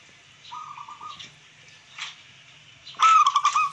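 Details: Local wild zebra dove song, meant to excite rivals and raise breeding urge: a soft, faint run of pulsed coos early on, then a louder stuttering cooing burst near the end amid rustling noise.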